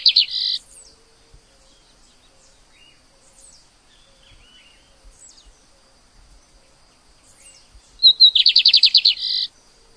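Lined Seedeater song: a brief high buzzy burst, then after a pause a fast rattling series of about a dozen sharp notes; faint chirps between.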